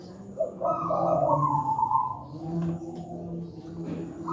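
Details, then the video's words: Wild local zebra dove, used as a master for teaching young doves to sing, said to have a big, thick voice: a single rolling, trilled coo phrase stepping down in pitch, followed by softer low notes against a constant low hum. "Masteran burung perkutut manggung gacor"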